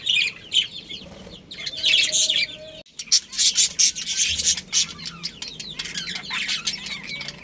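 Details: Budgies in a breeding colony, bursts of bright chirps and chatter, a short break near three seconds, then dense, rapid twittering from several birds resuming.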